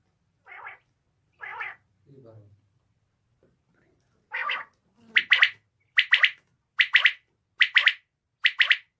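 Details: Female common quail calling: after a few lower, softer blurred notes at the start, a run of sharp, high three-note bursts repeats roughly every 0.8 seconds, loud and clear against a quiet background.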